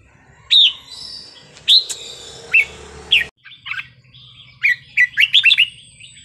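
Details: Wild-style song of a red-whiskered bulbul, with sweet phrasing played to stir up other birds: single rising whistled notes spaced about a second apart, then a quick run of five or six chirpy, liquid notes near the end.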